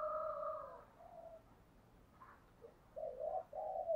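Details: Spotted dove calling as a decoy to lure wild doves, heard at moderate distance: a long, level, two-toned coo, then after a pause a burst of three short coos running into a held note, over faint background hiss.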